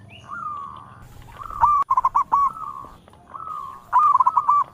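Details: Local zebra dove singing melodiously. Sustained mellow coos lead into stuttering bursts of quick, pulsed notes. The bird repeats the pattern twice, with a brief sharp click between phrases.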